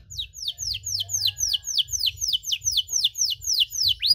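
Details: Canary singing a long-duration cengkok song meant to provoke other canaries: a rapid string of high, descending whistled notes repeated about four times per second, steady and bright throughout.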